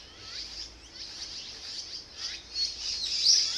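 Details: Azure-winged magpie chicks begging while parents feed them after a long wait; dense high squeaky chattering with falling slurs, rising louder toward the end.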